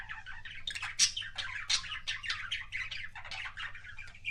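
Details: Kissing sounds from a pet budgie: busy scratchy warble of short squawky chirps and clicks, rising and falling in quick succession, with a faint low hum underneath.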